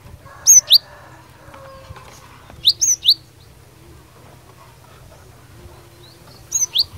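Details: Cinereous tit in fighter song meant to make other birds respond: short bursts of two or three sharp, high, V-shaped notes, repeated about every two to three seconds, with quiet gaps between.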